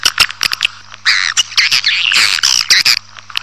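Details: Swiftlets calling, a sound used to attract a colony into a building: scattered sharp clicks, then longer raspy, buzzy chirps in clustered bursts, with a low constant electrical hum.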